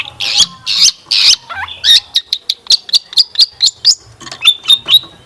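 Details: Long-tailed shrike singing varied fill-ins as a lure for kept birds; three loud harsh squawks open, then a looping whistle and a steady series of clipped high notes about twice a second, ending in thin whistles.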